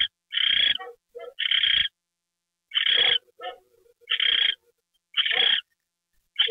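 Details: Owl given a mouse treat at 9:33 PM, January 28, 2013: harsh hissing bursts at uneven intervals, mixed with short, lower twittering notes and a faint, trailing, low chatter.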